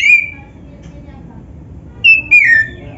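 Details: Black-chested kacer, an Oriental magpie-robin: one clear whistled note, then a quiet gap of over a second, then two more whistles, the last slurring downward, with low hum behind.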